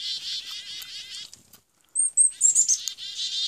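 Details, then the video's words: A chickadee during an attack gives harsh, buzzy dee notes, pauses, then adds a burst of thin, very high chips before the buzzing resumes. "chickadee attack"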